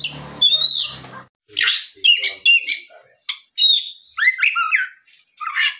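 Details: Oriental magpie-robin singing in the 'gacor ngeplong' style in the afternoon, used as a lure to prompt other magpie-robins to answer and sing. It gives varied high whistles, buzzy bursts and falling slurred notes in separate phrases with short pauses.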